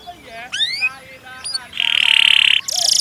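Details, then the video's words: Canary singing in long-roll 'gacor' style: rising whistled sweeps and chirps, then a loud buzzy rattle and a fast high trill near the end, over a faint background hiss. "Burung Kenari gacor rol panjang"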